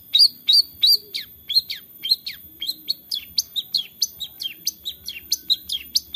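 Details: Long-tailed shrike, Central Java, Indonesia, recorded on an Android phone for use as a lure to make quiet birds sing: a rapid string of high, sharp, falling whistled notes, about three per second, loud at first then slightly softer.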